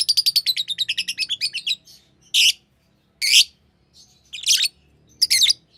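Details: Green lovebird delivering a quick run of high chirps, then four loud harsh screeching notes spaced about a second apart.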